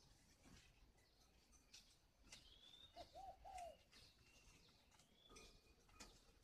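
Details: Spotted dove kept at a bird garden in Ba Vì, Hanoi, Vietnam: three quick, soft, low coo notes in a row, the last slightly longer. Thin high twitters from other small birds around it.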